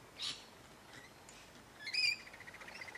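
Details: Rainbow lorikeets from a flock of hundreds at Lane Cove National Park: one short raspy screech, then a louder shrill squeal trailing into fainter chatter.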